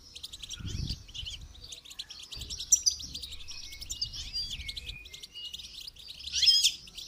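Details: Goldfinch song used for song training: a dense, continuous high twittering of rapid chirps and trills runs throughout, with a brighter, louder burst near the end and soft low thumps early on.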